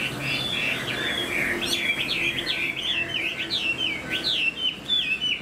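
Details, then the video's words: Chinese Hwamei in a cage, fanned tail and new plumage, singing while flicking its tail; rapid looping whistles climb and dip in quick succession, growing more clipped and bouncy toward the end. "Chim họa mi đuôi xòe, hót vẩy đuôi khướu cực đẹp"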